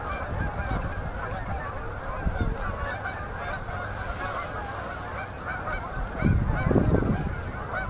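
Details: Autumn concentration of Canada geese descending onto a river at sunset, Manitoba, Canada, October 2018; a thick wall of honking from countless birds, swelling louder toward the end.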